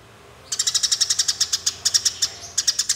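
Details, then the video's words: After a half-second of quiet, fighting Eurasian tree sparrows break into rapid, steady, piercing chirps that run in close groups to the end. Used for training songbirds. "Suara Burung Gereja Tarung Ngeroll"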